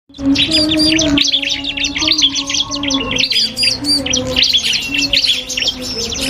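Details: Iora (cipoh kristal) singing in a duel with a prinia, a training recording for songbirds: dense, rapid chirps and sharp whistled strokes from both birds, with a steady low hum underneath throughout.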